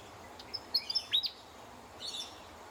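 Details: Willie wagtail calling in the morning in Australia: a short burst of sharp, high chirps and slurred whistled notes, a brief pause, then a softer second chattering phrase over a faint steady background hiss.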